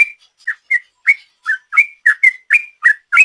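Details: Sooty-headed bulbul performing 'ropel' song, used as a lure: about a dozen short, slurred whistles in quick succession, some rising and some dipping, at roughly three per second against a silent background.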